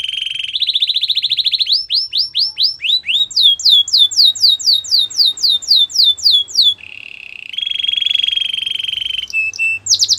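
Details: Canary training song with a fast rolling trill, then a long even series of curved sweeping whistles about four per second, then a steady trill and a few sharp notes.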